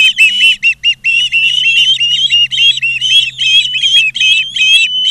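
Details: Osprey calling at its nest in Charlo, Montana, August 2023 afternoon: loud, slurred whistled chirps that rise and fall, delivered in quick uneven bursts with brief gaps, a faint low hum beneath.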